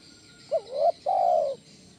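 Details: A single spotted dove coo phrase, 'kuk 1' lure type used to bring in and train other doves: a short rising hooked note gliding into a brief note, a pause, then one long, mellow, gently falling coo.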